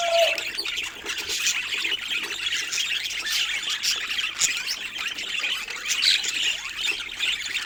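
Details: Budgerigars, several birds together, give a dense, continuous warbling chatter of high chirps and squawks. Brief louder notes rise out of the busy background throughout.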